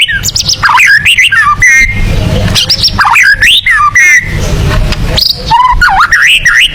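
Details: Murai batu, or white-rumped shama, delivering a tembakan song said to suit competition birds: loud, varied phrases of swooping, warbled whistles in bursts separated by brief pauses, with a constant low hum behind.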